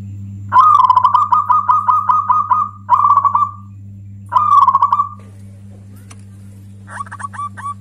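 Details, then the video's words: Local zebra dove singing loudly, a song said to anger other doves and suit luring: rapid trilled bursts of bubbling coos near one pitch, three phrases with short gaps, then softer clipped notes; steady low hum underneath. "Suara perkutut lokal ini bikin marah perkutut yang lain cocok untuk pemancing"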